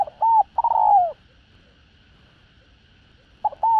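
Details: A spotted dove's luring song in the style called đồng rặc: one full phrase of short hooked notes and a long falling coo. After a silent gap a second phrase begins. A soft constant hum is present.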